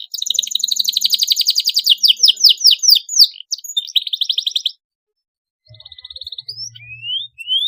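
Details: Canary song meant to stimulate young canaries to sing: fast trilled rolls around mid-high pitch, then a series of downslurred whistles and buzzy trills, a short pause, and softer rising whistles.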